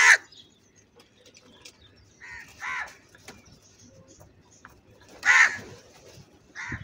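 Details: Loud crow calls described as angry: harsh, nasal caws spaced a couple of seconds apart, one very loud and rasping, others quieter and farther off.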